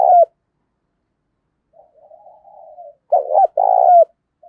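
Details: Decoy spotted dove with a thổ sấm voice, calling daily against wild birds. A brief hoot is followed by a soft quavering murmur, then a loud phrase of two quick hoots and one long rolling coo.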